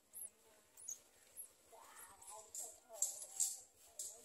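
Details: An olive-backed sunbird feeding its small young gives thin, very high arched notes, about two a second, swelling into louder sharp chips near the end, over a faint lower murmur.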